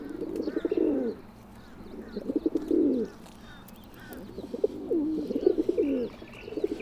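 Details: Feral pigeon, the domestic subspecies of the rock dove, delivering deep swelling coos in two phrases separated by a pause, while thin chirps of other birds sound faintly behind.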